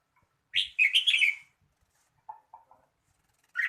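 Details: Red-whiskered bulbul delivering one loud, rich warbling phrase, followed by a few lower short chirps and the start of another bright note.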